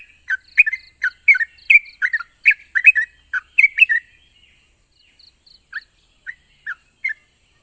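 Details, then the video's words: Yellow-vented bulbul song played to make quiet bulbuls answer: four seconds of quick bubbly chortles, then a pause, followed by a few isolated soft notes and short high dashes in the background. "Burung trucuk macet bunyi dan mandek pasti nyaut dengar suara burung trucuk ini"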